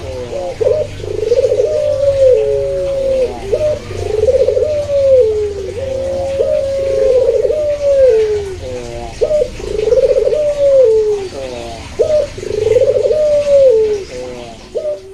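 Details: Barbary dove (puter) of the pelung or local variety cooing steadily: repeated rolling coos, each opening with a sharp note and swelling into a falling trill, about every two and a half seconds, with low background rumble.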